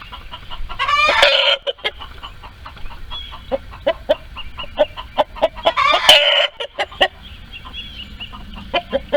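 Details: Screaming chickens, hens and roosters in a barnyard coop while laying eggs: two loud, harsh, rising screams about five seconds apart, with rapid clucking in between and after.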